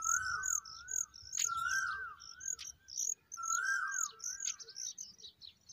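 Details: Familiar chat chicks begging as adults feed them: short, sharp, very high chips repeated over a lower, wavering whistled phrase that recurs twice.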